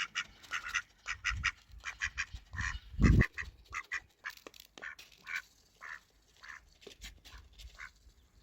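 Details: Male and female ducks eating together while being fed, some scared, giving short broadband quacks in irregular bursts, several per second at times, with one louder, harsher honk-like call near the middle and soft background noise.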